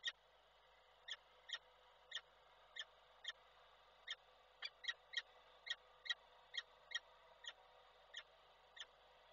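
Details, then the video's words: Calling male peregrine falcon, Koszalin, Poland, 12 December 2023, summoning the female before flying away at her arrival. About twenty crisp, evenly spaced notes, some doubled, sound every half second over a faint electrical hum. "Samiec Nilę wołał, jak przyleciała to odleciał"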